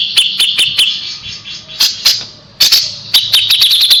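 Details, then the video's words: High, sharp notes from a kapas tembak, a tutor bird for white-rumped shama, come in uneven bursts with short pauses and end in a quickening run of shrill notes. "KAPAS TEMBAK GACOR JEDA RAPET"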